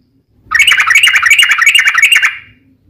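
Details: Sooty-headed bulbul in fighting mode, singing to draw rival bulbuls into reply: one continuous fast rattling, buzzy trill of about two seconds, evenly pulsed and slightly fading at the end.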